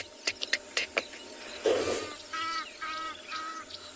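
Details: A Green-backed Camaroptera gives very loud, sharp, dry clicks in the distance, about four per second, then falls silent; harsh, nasal calls from other birds and a low murmur follow.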